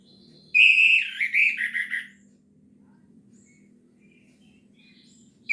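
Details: Orange-headed thrush singing in the lively, drawn-out gacor teler style: one burst of rich, warbled and slurred phrases lasting about a second and a half, falling slightly at the end, then quiet with a faint low hum.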